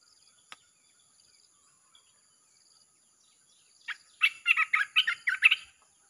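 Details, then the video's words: Red-whiskered bulbul singing in a nonstop chopping style used to lure wild birds. After about four quiet seconds comes one burst of rapid, rich, warbling notes. A thin constant high tone sits in the background. "เสียงนกกรงตาแดงEp.158 สับไม่หยุด!! เปิดล่อนกป่าเข้า100%"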